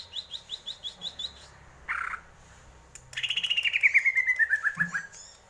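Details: Greater green leafbird singing: a run of quick, evenly spaced high chips, a short burst at middle pitch, then a long fast trill of sharp notes sliding steadily downward.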